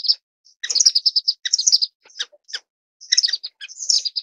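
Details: High-pitched chattering of orange-cheeked waxbill, Estrilda melpoda: rapid clusters of thin tweets and short trills, separated by brief pauses, clean background.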